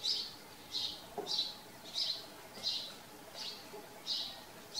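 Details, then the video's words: House sparrow at a farm repeating single short chirps, about eight in five seconds, evenly spaced and clear against a quiet background. "House sparrows live at farm. Haussperlinge leben auf Bauernhof"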